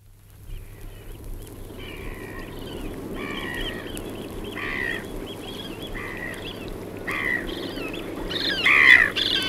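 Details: Eurasian oystercatcher in Norfolk, UK, giving shrill, piping calls in quick irregular bursts, with harsh black-headed gull calls mixed in over a steady background rumble.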